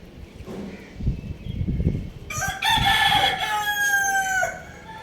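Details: Rooster on a roof with a hen, searching about; a loud harmonic crow from about 2.3 to 4.5 seconds, held and slightly falling at the end, after low scuffling and knocking noises.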